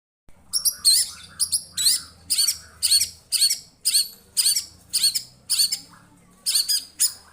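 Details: White-rumped shama singing in response to a lure recording: a rapid series of harsh, high, scratchy chattering phrases, about two per second, with a faint low hum beneath.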